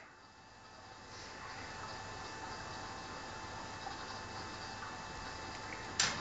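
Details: Only steady indoor hiss and hum, ending in a single sharp click, with no animal voice.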